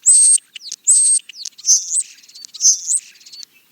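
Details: Two loud, thin high whistles from a European starling, each followed by a quick slurred note, then warbled gurgling whistles mixed with soft scratchy chatter.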